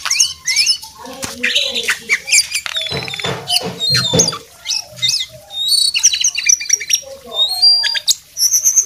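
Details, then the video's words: Vigorously singing brown jongkangan delivers a busy stream of high chirps, slurred whistles and brief trills, with some lower, rougher notes mixed in. "jongkangan coklat gacor"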